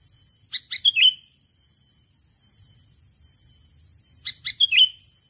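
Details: Lure call of a sooty-headed bulbul aimed at a rival: two matching phrases several seconds apart, each of three or four rapid clipped notes closing on a bright slurred whistle.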